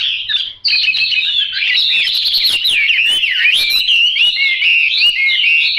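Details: Yellow-billed, yellow-legged Chinese hwamei pouring out continuous song after a brief opening note: bright, warbling whistles that swoop up and down, dense and unbroken to the end.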